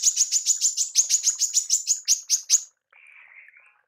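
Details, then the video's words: A female manggar gives a fast burst of sharp, very high chips, about six a second for under three seconds, then a brief, softer buzzy note. "TEMBAKAN MANGGAR BETINA"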